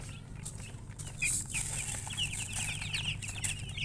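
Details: Chicken with a burst of wing flapping, then a run of rapid, high chirps over a low background hum.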